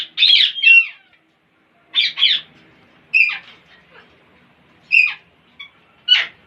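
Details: Parrots making weird sounds: scattered pairs of raspy squawks and descending whistled notes, with gaps of about a second between phrases.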